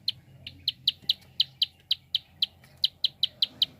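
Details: Rapid prinia clicks, used to prompt other birds into song: a steady train of bright, sharp high ticks, roughly four per second, with a brief pause midway and a soft background hum.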